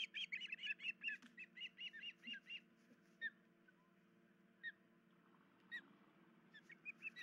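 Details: At a nest with chicks, an osprey whose leg was hurt overnight calls in early morning, 10 July 2019; a quick string of sharp whistled chirps fades to scattered single notes, with constant low electrical hum beneath.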